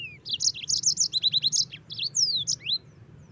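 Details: Yellow-fronted canary in full, continuous song used as a tutor recording: fast high chirped trills of rising and falling notes, a clear downslurred whistle, then a sweeping rising note, with faint low background hum.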